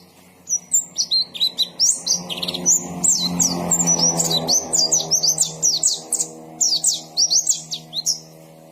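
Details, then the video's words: White-eye (pleci) in full song: continuous, fast, high twittering of thin slurred whistles and chirps throughout, over a steady low droning hum with layered tones. "KICAUAN BURUNG PLECI GACOR NGALAS"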